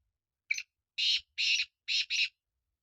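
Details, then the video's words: Black francolin call: five harsh, grating, buzzy notes, a short first note followed by four longer ones, the last two close together, set against near silence. "Kala Teetar Awaz"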